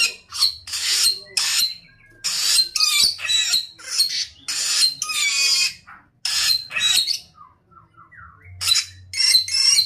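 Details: Vigorous samyong song made of loud rasping screeches in quick bursts, broken by a pause with a soft run of small rising whistles before the harsh notes return; faint low hum throughout.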